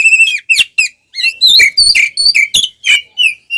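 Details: Oriental magpie-robin singing while fighting, tail open: a lively series of sweet whistles, upslurs and downslurs with thin high notes, continuing in quick succession with short breaks.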